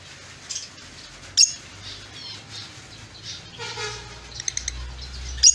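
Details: Chirping lovebird giving high, thin twittering notes and quick chirp runs, with sudden sharp squeaks near the start and end over a faint low rumble.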